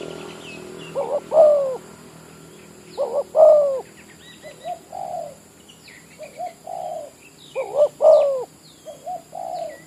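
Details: Spotted dove of village type calling as a trapping decoy in an oil-palm plantation, loud two-part coo phrases alternating with softer, lower answering coos, amid scattered high chirps of small birds and a background hum.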